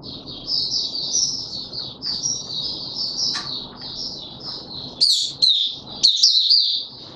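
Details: White-eye kept in a cage and pushed on form, 31 December 2021, singing its buka sing: a long continuous high twittering strand over steady broadband background noise, then sharper, clearer warbled notes near the end.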